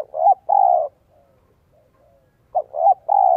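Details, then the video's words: Decoy spotted dove calling wild doves in, 'giọng son' style coo: a quick double note followed by a long, even hoot, a pause of about a second and a half, then the same pattern again. "CHIM CU GÁY GIỌNG SON 1 CỐT LỠ KÍCH BỔI NHANH NỔI HIỆU QUẢ NHẤT"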